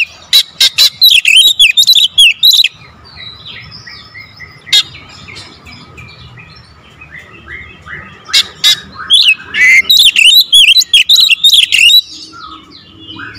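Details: Kacer (Oriental magpie-robin) delivering 'tembakan rapat' lure song: two dense bursts of sharp, chopped whistles and twisting notes, about three per second, separated by quieter soft warbling, with faint background hiss.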